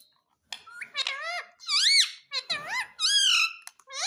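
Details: Pet parrot kept indoors, taught to speak words asking for roti: squeaky, rising-and-falling mimicked syllables in short phrases with small pauses, in a quiet small room.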